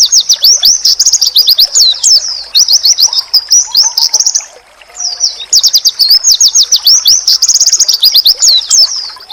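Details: Pleci, or oriental white-eye, in a masteran song said to provoke other pleci into answering: shrill, fast chirping in long, dense runs, a clear pause midway, then an energetic restart; faint low whistles behind.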